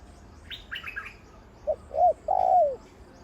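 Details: Spotted dove decoy bird of the big-voiced type, over eight years old, a former wild trapping decoy now trained for ground and branch decoying: a few high chirps, then three short mellow coos ending in a longer falling coo.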